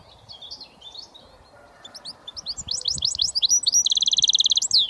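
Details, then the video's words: Goldfinch mule, a hybrid British finch, singing its switty song: soft twittering notes build into quick slurred chirps, then a fast, buzzy, rattling trill near the end, over a quiet background. "Goldfinch mule switty"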